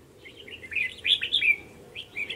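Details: Red-whiskered bulbuls at a trap on 9 December 2020, two males demanding to fight the decoy; a rich rolling warble of quick slurred notes building in the middle, then a short closing phrase.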